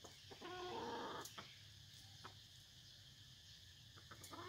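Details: F1 red junglefowl kept as a decoy bird in Vietnam: one short harmonic call of just under a second, stacked tones about mid-pitch, then steady background hum with faint clicks.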